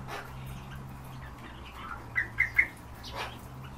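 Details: European bee-eaters kept in captivity: three short, clear rolling notes close together near the middle of the recording, over a steady low electrical hum and faint background noise.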